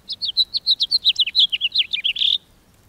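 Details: House finch song: a rapid warbled string of about twenty bright, varied chirping notes over two seconds, ending in a buzzy burred phrase.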